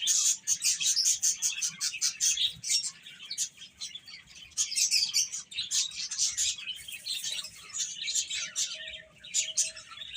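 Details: Chicks pecking at food and playing, producing rapid high peeps about two or three per second, loud at the start and again midway, with a faint steady tone near the end.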